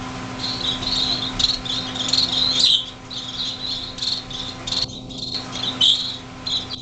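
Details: Six young finches on the day they left the nest, in a greenhouse in January 2007, able to fly a little. Dense high thin chirps overlap almost without pause, fading briefly near the end, over a steady low electrical hum.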